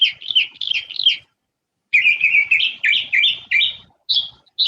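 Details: A Northern Mockingbird, a mimic of 50 or 60 bird species, sings bright, high chattering phrases, repeating each three or more times in quick succession before switching, with brief pauses; recording played during a talk on Moundville, Alabama birds.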